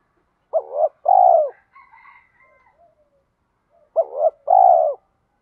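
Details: Spotted dove coo in thổ-thúc voice, for training newly caught and decoy birds. Two full phrases of a quick double note then a long, mellow falling coo. A faint higher chatter follows the first phrase.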